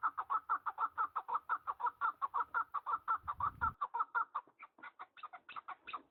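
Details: Mountain partridges deliver a long, regular series of hoarse chuck notes, roughly four each second, then the rhythm loosens into uneven, higher-pitched notes near the end; a brief low rumble in the middle.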